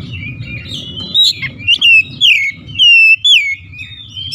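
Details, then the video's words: Oriental magpie-robin, kept bird, singing clear looping whistles that dip and rise, strung in quick phrases with brief breaks, over a low background rumble. "Kacer ngedrop macet bunyi sekali dengar langsung gacor"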